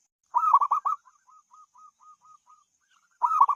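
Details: Melodious zebra dove coo, lar tuku trek style: a rapid rolled opening, then a long trailing series of about ten soft, evenly spaced purring notes before the next phrase begins.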